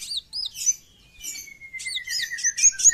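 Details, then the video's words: Short stretch of brown-throated sunbird besetan song: high squeaky arched chirps, a long gently falling thin whistle running beneath, then a quick burst of sharp notes. "KOWUL GACOR FULL BESETAN"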